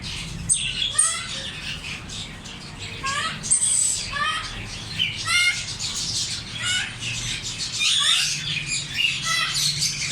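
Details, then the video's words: African grey parrots calling, a busy mix of rising whistled notes and harsh squawks overlapping irregularly, several birds heard at once over a low background hum. "African grey parrots||parrot talking natural sounds"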